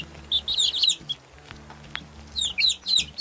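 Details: Baby chicks give clustered high peeps that slide downward, a tight burst near the start and another toward the end, over a quiet low droning background.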